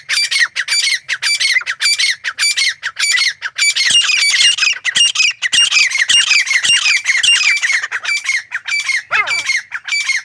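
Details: Grey francolin calling in a rapid, loud series of harsh, high squawking notes, repeated many times without pause, with a brief lower rasping sweep near the end.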